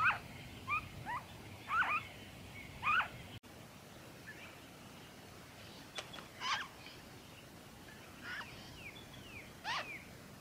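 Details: Noisy friarbird, Victoria, Australia, February 2023: a few brisk, harsh bent notes at first, then softer and more scattered calls fading into quiet background.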